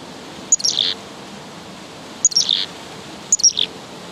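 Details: A Black-capped Chickadee on a local trail scolds another chickadee three times, each a quick burst of thin high notes dropping into buzzy lower notes, over a faint hiss.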